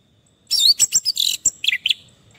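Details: Orange-headed thrush (Geokichla citrina), kept as a cage bird and described as stressed and stuck in song, sings a quick burst of varied, high, sweet phrases, with rapid chirps and whistles tumbling together over about 1.5 seconds.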